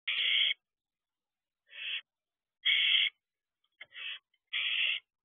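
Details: Barn owl at a nest box with owlets, recorded at 12:49 am on 6/7/23: harsh, hissing screeches of about half a second each, repeated at uneven intervals with silence between.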